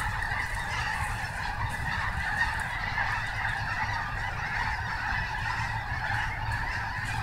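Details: Large gathering of snow geese at Snohomish giving a steady, even chatter of overlapping honks and yelps, with a low constant rumble.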